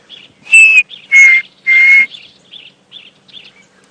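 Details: A Chinspot Batis at Djuma Game Reserve, South Africa, at 6:30 AM on 11 July 2016 during the dry season, gives three clear, slightly descending whistles about half a second apart, with soft higher chips between and after.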